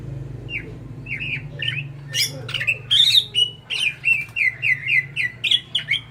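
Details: Prolific song from a greater green leafbird: scattered chirps building to a run of loud, evenly spaced whistled notes about twice a second, over a faint low hum.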